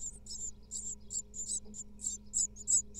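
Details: Nestling great tits in an Israeli nest-box camera, second brood of 2022, begging as the female feeds them and cleans the nest: shrill, hoarse chirps in uneven clusters, some doubled, above a faint electrical hum.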